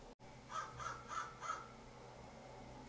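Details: An American Crow recorded by a bird cam in Monterey County, California, on 13 April 2023 gives four harsh caws in quick succession, about three per second, over a low outdoor hum.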